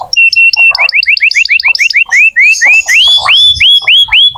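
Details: Canary song used to prompt young or quiet canaries: long series of rising whistled notes repeated roughly four per second, first steady, then sweeping higher, with softer lower chirps between.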